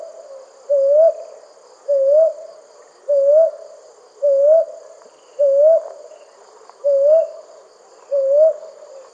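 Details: Night calling of a brown hawk owl, with mellow upslurred hoots delivered at a regular pace of roughly one per second and a faint continuous buzz of insects behind.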